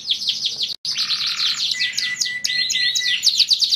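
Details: Domestic canary in full song, a 'dor'-style tutor recording meant to set other canaries singing: fast descending whistled sweeps, a brief break, then a sustained buzzy roll and quick high chattering notes.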